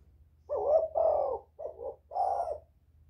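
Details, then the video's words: Lure-calling spotted dove: four husky, mellow coos in quick succession, the first two longer and louder, the last pair shorter, over a steady low background hum. "Tiếng chim cu gáy kích bổi mau nổi, cu gáy kích mồi hay"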